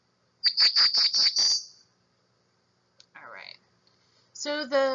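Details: Black-throated blue warbler (Setophaga caerulescens) call: a quick run of about six high, buzzy notes over a second and a half, then a man's voice speaking.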